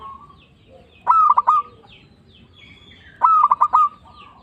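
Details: Lively local zebra dove, its voice used as a lure to attract and excite other doves: two phrases of rapid, clipped cooing notes ending in a short level coo, about two seconds apart, soft bird chirps in the background.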